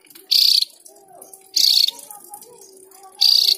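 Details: Javan grey-throated white-eye in long continuous singing: three brief bursts of high, rapid twittering about a second and a half apart, with faint low hum and indoor background between phrases.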